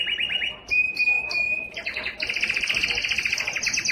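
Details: A Belgian canary sings its strongest song, meant to attract females for breeding, loudly: rapid trills, a long steady high whistle, then fast buzzy repeated phrases, bright and continuous throughout.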